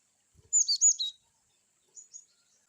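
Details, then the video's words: Loud, high whistled phrase of a cinereous tit (glatik batu) in varied 'wucit' style: linked swooping notes over half a second, followed by a faint two-note reply. "glatik batu wucit2 bervariasi"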